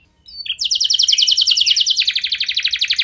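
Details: Canary song used as a lure so other canaries respond: after a short start, a continuous rapid trill of bright high sweeps, switching midway to a denser, slightly lower rolling trill.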